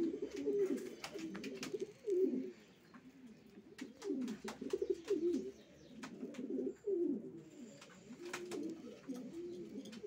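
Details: Racing pigeons give deep, swelling coos in bursts separated by short quieter gaps, several birds overlapping, with sharp clicks scattered throughout.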